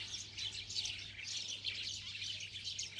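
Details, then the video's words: Many birds twitter at once, a thick, constant stream of high chirps swelling and fading slightly, over a faint low drone. "Birds Chirping Sounds"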